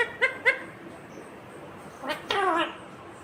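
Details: Talking green rose-ringed parakeet gives two quick clipped harmonic notes, a pause of over a second, then a longer rough, chattering, speech-like phrase.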